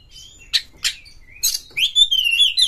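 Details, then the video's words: Brief burst of fast Oriental magpie-robin song used to provoke rival singers: two sharp chips, then a harsh buzz leading into a sustained, wavering whistled trill. "pancing KACER sampai GACOR NGEPLONG BONGKAR ISIAN BUKA EKOR suara cepat Naikan EMOSI KACER Anda"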